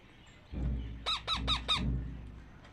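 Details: Two hungry captive parakeet chicks compete for food while being fed. Four quick, harsh calls, each falling in pitch, come in a tight burst over low thumping and handling noise.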